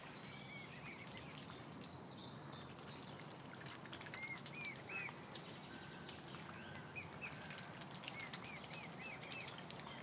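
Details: Ill mute swan cygnet with its swan family, giving thin, faint, arched peeps at irregular intervals, sometimes in pairs, over steady rushing background noise.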